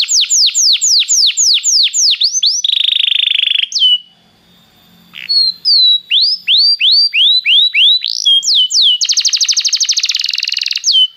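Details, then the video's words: Belgian canary song for warming up a canary: a fast series of downslurred whistles and a buzzy trill, a short quiet gap, then rising whistled notes ending in a rapid rattle. "canário belga muito lindo cantando, aqueça seu canário imediatamente"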